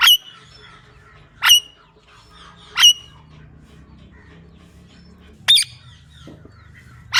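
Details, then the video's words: Talking parrot kept as a pet: short, sharp, harsh calls repeated every one to three seconds over a steady low indoor hum. "talking parrot mummy"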